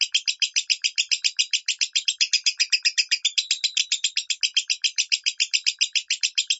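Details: Master recording of a lovebird's 'minor' song for training: an unbroken string of sharp, grating chirps at a brisk, fairly even pace of almost four per second.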